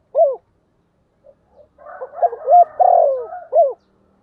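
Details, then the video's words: Cooing decoy spotted dove in the 'thổ' voice style, meant to call in wild doves: a single short hoot, a pause, then a complete phrase of soft notes, a long falling coo and a closing hoot. "Tiếng chim cu gáy mồi gáy gọi giọng rất hạp bổi"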